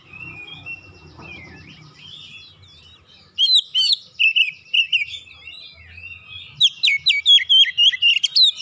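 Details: A home-kept Oriental magpie-robin, stirred by hearing another bird, sings ngoyak and pours out its repertoire: quiet warbling at first, then loud whistled phrases and a fast string of sharp, repeated notes in the last two seconds.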